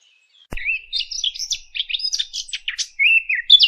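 After a sharp click, a fig bird pours out a fast, varied twittering warble of high, scratchy notes and brief whistled slurs, continuous for about three seconds.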